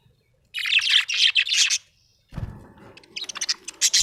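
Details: A happy budgie chatters in fast runs of high, buzzy chirps, pausing briefly before starting another rapid, warbling stream, with some low knocking in the background.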